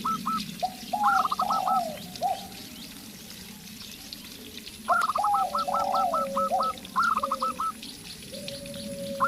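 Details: Local zebra dove in a duel with a spotted dove decoy: repeated bursts of a rising note and rapid staccato coos, mixed with the lower, slurred spotted dove calls.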